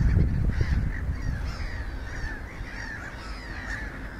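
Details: Little gulls calling at Espoo, Finland, 29 April 2019: a run of brief, nasal, slightly upslurred notes, roughly four per second at first, over heavy wind noise.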